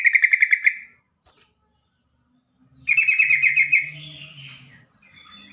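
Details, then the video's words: Yellow-vented bulbul call, used to prompt stressed, silent or newly caught captive bulbuls to sing: two bursts of fast, bubbly chattering notes, each about a second long, over a faint low hum. "trucukan call"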